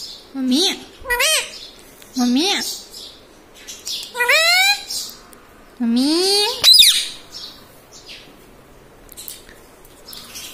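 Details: Pet green ringneck parrot talking in a small room, mimicking words like mummy and papa; five or six harmonic, bending voiced syllables in separate bursts, then a sharp high squeak and quieter fading chatter.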